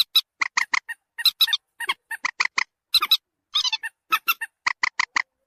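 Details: Repeated common moorhen lure call meant to make birds approach: rapid, nasal, clucking notes in triplets, a rhythmic series over a quiet background.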